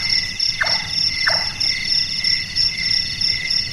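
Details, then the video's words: Large-tailed nightjar, Caprimulgus macrurus, a night-active bird whose call is likened to someone doing carpentry: two short knocking 'chonk' notes falling in pitch, about 0.7 seconds apart, over a loud, steady insect chorus. "Burung Tukang,Burung Tukang Kubur,Burung Malas"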